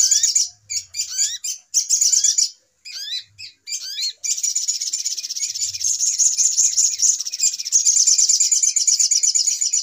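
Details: Trapping lure of little spiderhunter (sogok ontong): choppy rising whistled notes and short chatters for four seconds, then a continuous shrill, rattling chatter.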